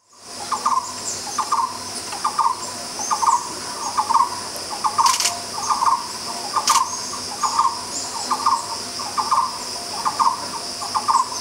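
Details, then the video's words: Black-browed Barbet at Bukit Tinggi, Malaysia, repeats a mellow, throaty song phrase of low, steady notes about once a second, over a constant high insect hum. "Black-browed Barbet Song"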